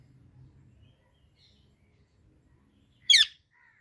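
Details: Indian ringneck parakeet, quiet low background hum, then one abrupt grating screech near the end followed by a faint thin note.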